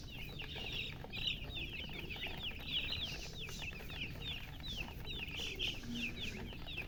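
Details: Thirsty coloured chicks, young poultry wanting water, keep up a steady flock chorus of sharp, high, falling peeps repeated several times per second over a faint low hum.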